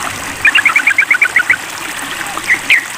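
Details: Sooty-headed bulbul calling a rival, giving a rapid string of about ten short, bubbly, paired chirps followed by a few scattered single notes, all against a constant wash of flowing water.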